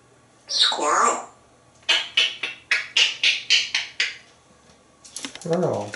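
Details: Pet parrot talks with its owner indoors: a garbled word, then a quick run of eight clipped, syllable-like bursts, then more chattering speech.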